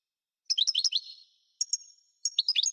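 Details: European goldfinch song in three bursts of quick twittering, bright high notes and short slurred trills separated by brief pauses.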